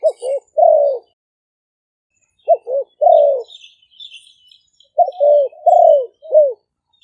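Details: Two caged decoy spotted doves recorded live in Roi Et, Thailand, as calls to attract birds: three separated phrases of two or three short clipped coos followed by a longer, louder falling coo.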